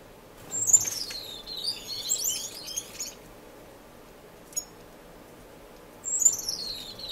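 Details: Finches in an indoor, non-breeding community aviary in Edmonton, Canada, filmed March 26, 2015: high thin descending whistled phrases with twittering, a sharp chip near the middle, then another falling whistle at the end.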